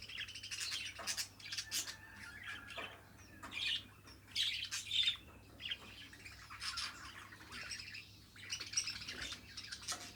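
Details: Pet budgerigar chattering in a run of scratchy squawks and chirps, bursts coming in quick uneven clusters with brief pauses, a steady low hum underneath.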